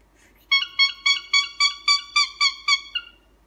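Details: Pet cockatiel producing a clean series of ten buzzy, trumpet-like honks, each about a quarter second apart, steady in pitch and loudness, in a quiet room.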